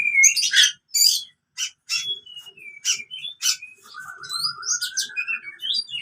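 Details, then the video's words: Oriental magpie-robin fighting song, used to train birds that have stopped singing: varied loud whistles, harsh chirps and buzzy notes in quick bursts, with a long rippling trill running through the last two seconds. "KACER TARUNG COCOK UNTUK KACER MACET BUNYI"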